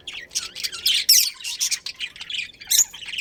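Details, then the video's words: A budgerigar colony with a breeding pair chirps in quick separate bursts of high, scratchy notes, with a sharp louder squawk near one second and another near 2.8 seconds. "Cute Budgies Chirping Sounds"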